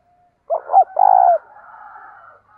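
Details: Captive decoy spotted dove, a Vietnamese cu gáy with the local 'giọng thổ' voice, cooing to lure wild doves: two short rounded notes, then a long level vibrating coo, followed by a softer trailing hum; background otherwise silent.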